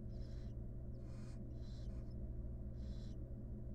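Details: Wild barn owl with her chicks in a nest box during grooming: four breathy, rasping hisses of about half a second each, close together, over a steady low hum.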